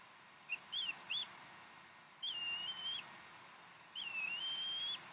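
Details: Bald eagle at the Decorah nest, 15 April 2012, nest time 6:00, while fresh duck is fed; quick high chirps, then two longer thin whistled calls that rise and hold level with a slight waver, over quiet hiss.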